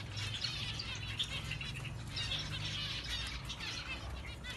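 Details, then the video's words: Orange zebra finches calling together, a dense overlapping chatter of short, bright chirps and nasal notes, continuous across the whole stretch, with a low background hum underneath. "Orange zebra finch"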